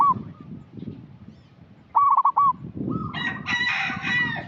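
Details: Local zebra dove calling briskly, used as a lure to prompt untrained young birds: one clear rolling, stuttered coo phrase mid-clip, followed by a harsh, noisy call from another bird over low background rumble.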